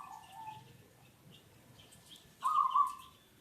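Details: Local zebra dove used as a lure bird, giving one loud, rolling, trilled coo phrase near the end, with a fainter phrase at the start; soft chirps from other birds in the background.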